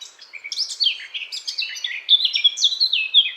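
A Eurasian blackcap sings a rich, fluty warble of quick varied notes sliding up and down, high and clear, with no other sounds.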